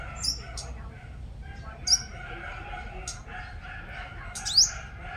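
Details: Sunbird, the five-coloured type, used as a lure bird, from Long Thanh, Dong Nai, Vietnam: sharp high thin notes at intervals, with a steady low hum and faint murmur behind.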